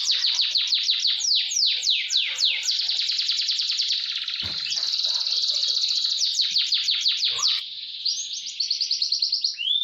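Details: Canary roll song used for training: rapid, rhythmic sweeping notes accelerate into a continuous fast trill, ending with quick repeated chips and an upward whistle.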